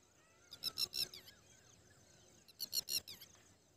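A Red-wattled Lapwing gives two quick bursts of four or five sharp, high, strident notes about two seconds apart. Faint softer bird calls are in the background.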